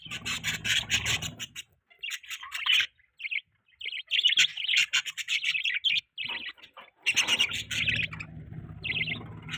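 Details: Budgerigars chirping in the morning: dense, bright warbling chatter in bursts of one to two seconds separated by short silences, with a low hum beneath the first and last bursts.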